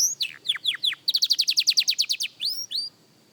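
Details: Young canary at song practice: four descending whistled notes, a tight trill of about fourteen loud pulses, then two upward-sweeping notes before silence.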